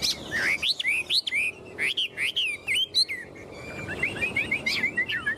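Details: Clear, loud whistled phrases from a tame caged Chinese hwamei that clings to the cage bars and flaunts its wings and tail. Slurred notes swoop up and down, then close with quick, short, rising chips.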